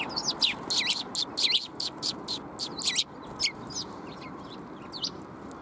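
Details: Sparrows arriving for food on 20 March 2021 give high, sharp chirps in quick clusters, loud for three seconds and then fainter and sparser, over a steady low hum.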